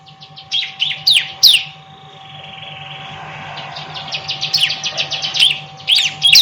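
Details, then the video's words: Bar-winged prinia, described as very vocal, song used as a tutor recording for other songbirds: bursts of sharp high chirps and quick downslurred notes, a quieter pause mid-way, then rapid repeated chirping resumes, over a steady faint electrical hum. "Masteran Burung Ciblek Super Gacor"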